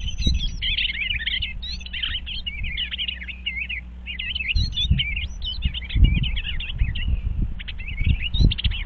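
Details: Eastern bluebirds examining a birdhouse on 25 February 2023, a lively stretch of rapid warbled and twittering notes from more than one bird, with occasional bumps and low rumble.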